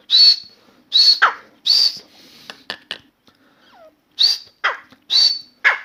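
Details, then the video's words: Caged grey francolin (Dakhni teetar), newly calling indoors in a room: loud, high, harsh shrieking notes in short bursts separated by pauses, with softer clicks and scratchy sounds between phrases. "Grey francolin Dakhni Teetar song"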